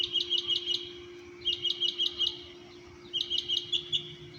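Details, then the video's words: Birds singing at 6:30 am at an apartment complex in Orlando, Florida: three bursts of four or five quick, sharp chirps each, high-pitched and evenly spaced, with a steady low hum underneath. "singing birds"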